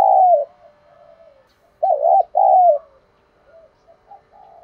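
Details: Spotted dove cooing in the thúc đấu đồng pha style for stimulating a decoy bird. A loud coo starts, then soft notes, then a strong doubled coo with quieter murmurs after it.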